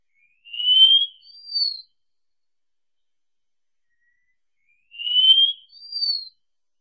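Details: Wallcreeper song repeated twice about four seconds apart, each phrase a rising thin whistle followed by a higher, clear whistled note. No other sounds.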